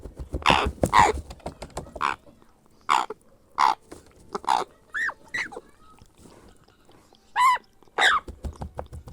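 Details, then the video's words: Young grey parrot being hand-fed, begging with spaced short harsh chirps and a few clear, rising-then-falling nasal squeals, separated by quiet gaps of about a second. "How We Care for Our Adorable Grey Parrot Hatchling: A Baby Feeding Journey"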